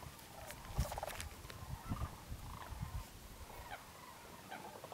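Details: Sandhill cranes arriving in waves at Whitewater Draw, southeastern Arizona, on January 1, 2012: a wintering flock on migration flies in around noon after morning foraging in fields. Scattered rolling calls from distant birds sound over a low rumbling background.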